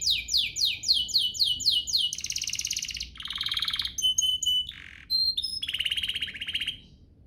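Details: Canary song played as a lure to provoke other canaries into singing. It opens with fast repeated downward-sweeping whistled notes, then shifts through buzzy trills, pure flat whistled tones and rapid chattering rolls, each tour changing every second or so.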